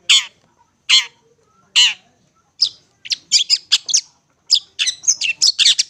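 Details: Long-tailed shrike, sold as a lure recording for trapping birds: three harsh, buzzy chattering bursts about a second apart, then a rapid jumble of sharp, high scratchy notes and squeaky chips packed densely together.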